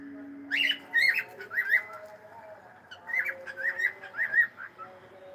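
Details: Pet cockatiel saying hello, producing short whistled two-part phrases with a rising-falling warble, delivered in quick pairs across the clip, preceded by a brief low steady tone.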